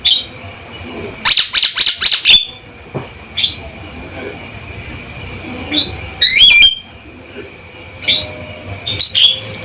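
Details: A male Javan myna calls loudly and firmly: a fast series of harsh, buzzy rattling notes, scattered short chips, then a bright swooping whistle and a final harsh burst, with constant background hiss.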